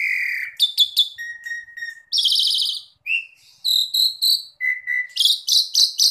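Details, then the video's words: Asian pied starling (jalak suren) gacor training song: steady whistles and chips, a loud buzzy burst, then repeated high whistled notes and a fast run of bright chips. "JALAK SUREN GACOR DOR DOR"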